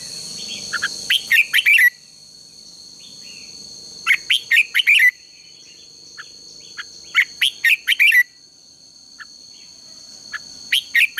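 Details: Red-whiskered bulbul singing for morning contest training: a loud, warbling phrase of four or five quick slurred notes repeated about every three seconds, four times, with soft chirps between and a steady high hum behind.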